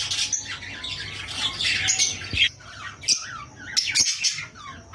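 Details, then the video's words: Lovebirds, rosy-faced and Fischer's, calling during mating stimulation: a continuous jumble of shrill, sliding squawks and twitters, rising and falling, with sharper loud chips near the end. "أقوي صوت لتزاوج طيور الروز والفيشر"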